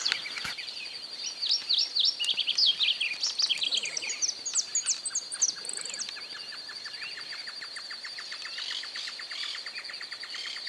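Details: Southern Yellowthroat in pampas grass habitat in Santa Fe, Argentina, 2020: a quick, jumbled warbling phrase of high chirps for a few seconds, over a steady high insect drone and faint ticking.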